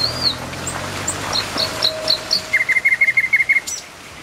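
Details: Nightingale beside a road opens with a slurred whistle and short high notes, then delivers a fast, even series of about a dozen loud, identical chirping notes.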